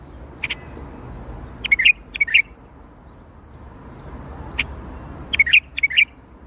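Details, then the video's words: Baghdadi-style song from a bulbul: a sharp note and then a rapid trio of warbling chirps, the whole phrase repeated about four seconds later, with a low murmur behind. "تغريد بلبل طور بغدادي"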